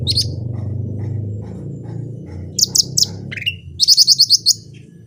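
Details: Chatty cucak rante in its natural voice gives sharp high chips, a drawn whistle, then a fast run of six bright repeated high notes, with a constant low hum beneath.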